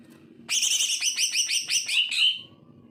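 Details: Greater green leafbird song as a tutor for birds that are lazy to sing: a series of about seven rhythmic downslurred chirps capped by two short clear whistles.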